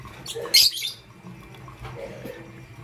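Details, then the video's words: A morning lovebird, pastel gray or green, gives one loud, rasping high squeak, then quieter murmurs over a low hum. "Pastel Gray LoveBird Chirping Sound"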